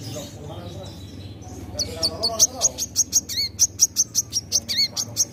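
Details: Kept sunbird (kolibri manggar) in full song, giving thin, very high chirps repeated about once a second with occasional down-slurred notes, above steady low hum.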